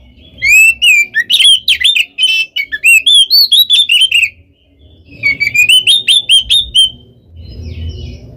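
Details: Oriental magpie-robin in continuous provoking song, fast whistled and rolling notes in two bursts, the second trailing off, with faint low background rumble.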